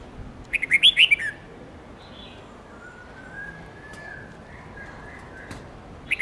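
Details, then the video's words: Red-whiskered bulbul song used for training young birds, including white-cheeked juveniles, to learn long multi-note songs: a burst of bright warbled whistles near the start, then a faint thin whistle and a brief phrase at the end. "Luyện chào mào Hót Nhiều Giọng âm 7-8-9-10 cực dài/Ép chào mào non,má trắng học giọng hiệu quả"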